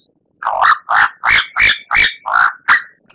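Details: White-rumped shama (murai batu) in a masteran recording for training captive songbirds for contests: a series of seven loud, harsh, rasping bursts, each about a quarter second long, repeated roughly every third of a second.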